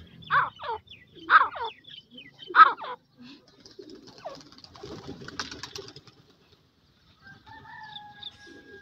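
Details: Grey francolin chicks give three loud, harsh calls that sweep downward, about a second apart, followed by quieter scattered rustling and faint chirps, then a steady, thin tonal hum near the end.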